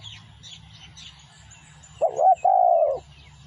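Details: Spotted dove song used as a lure: a brief, low cooing phrase of two hoarse, slightly wavering notes near the end, the second longer and steady, preceded by faint high chirping from other small birds.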